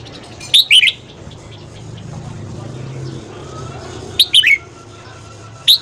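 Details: Red-whiskered bulbul singing in the morning, a recording for training the voice and prompting other bulbuls to sing: clusters of two to three quick bright twittered notes, then a lone note at the end, with a low hum.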